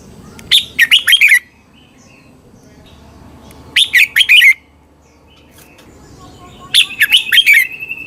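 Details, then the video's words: Thai red-whiskered bulbul song used to train caged birds or make them lively: three phrases of four to five quick warbled, slurred whistles about three seconds apart, the last followed by a brief thin trill. "เสียงนกกรงหัวจุก สำหรับต่อ หรือ เปิดให้นกคึก เสียงเพราะๆ"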